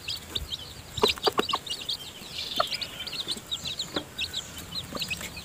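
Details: Hen with newly hatched chicks still in her nest at feeding time: a quick burst of four or five clipped clucks around the first second over steady, twittering peeps from many chicks.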